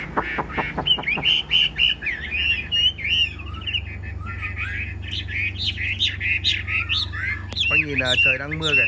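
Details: Tame yellow-billed Chinese hwamei sings while rain falls, its feathers still wet: quick opening strokes, long wavering high whistles, then rapid fluttering trills, over low hum.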